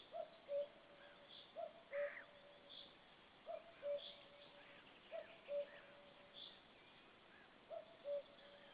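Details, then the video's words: Distant common cuckoo, recorded 4 May 2013 while a white-tailed eagle listens: steady series of soft, low two-note descending calls, five phrases in under nine seconds, over faint chatter of other birds. "is listening cuckoo calling"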